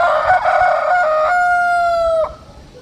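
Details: Rooster crowing loud and close: a rich, harmonic crow held steady for over two seconds, ending in a slight downward slide, then fading into quiet background.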